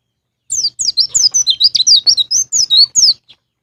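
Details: White-eye, ngalas ngeplong song for prompting caged birds: one fast run of about a dozen high, sharply falling chirps over roughly three seconds.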